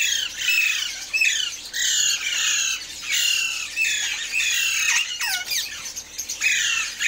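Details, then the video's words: Morning calls of Alexandrine parakeets: repeated grating squawks and descending screeches from several birds, bursts roughly every second, overlapping in a continuous noisy chorus. "Alexander Parrots Morning Voice | Pahari Tota Ki Awaz"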